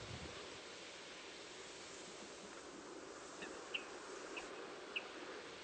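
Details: Water rail in a reed bed in winter, giving a contact call rather than its full pig squeal: three short, sharp high notes about half a second apart against a steady hiss of wind on the reeds.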